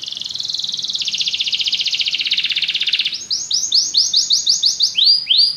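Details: Canary singing: a dense, buzzy rapid trill that steps down in pitch after one second, then breaks into a series of loud, upward-swept whistled notes repeated about three per second.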